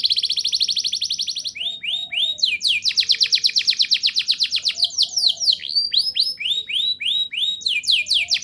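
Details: Canary singing loudly in rolling bursts, used to get young canaries singing; a rapid trill, a few downslurred swoops, then a long fast roll followed by more sweeping notes.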